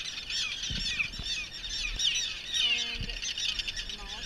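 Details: Common terns at a nesting colony on Great Gull Island, where adults are trapped at nests to identify parents: a dense chorus of harsh, overlapping high calls with a few low thumps of handling.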